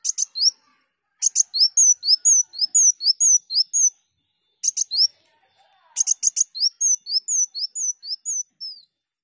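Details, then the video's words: Kolibri daun song meant to train songbirds: long rapid series of high slurred whistle notes, each phrase opened by sharp clicks, with one pause midway. "Burung Kolibri Daun Gacor"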